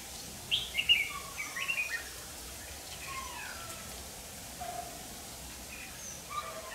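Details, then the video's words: Red-whiskered bulbul decoy bird singing to fight during trapping; a quick run of bright chirpy warbled notes in the first two seconds, then faint scattered notes over background hiss. "Bẫy chào mào"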